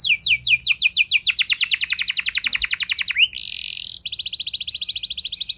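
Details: Canary in a rolling luxury song used as a lure to provoke other canaries into singing; rapid repeated high descending sweeps, then a short buzzy trill and more fast sweeps.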